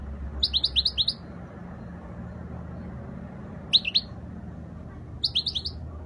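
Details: Spanish European goldfinch singing a faultless song; bright twittering bursts of quick downward-slurred notes in three short groups, over a steady low indoor hum.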